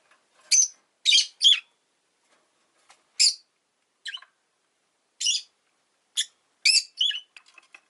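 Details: Rosy-faced lovebird kept as a pet producing sharp, buzzy high chirps, an opening trio then single notes at uneven intervals and a final pair.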